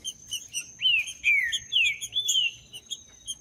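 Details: Green-winged saltator of the Judas song type, played to stimulate cold birds: four or five bright whistled notes, each sliding downward, delivered in quick succession among softer high chirps and a steady high tone.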